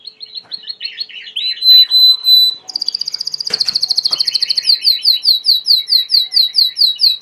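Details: Belgian canary, a domestic breed, singing loudly: rattling trills give way to a sustained whistle, then an extremely fast pulsed roll and a run of repeated rising whistled slurs, about two per second.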